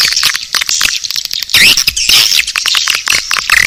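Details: Swiftlet lure sound called Naga Birahi: loud, crowded high chirping and twittering with scattered short whistles and crackling clicks, without pause.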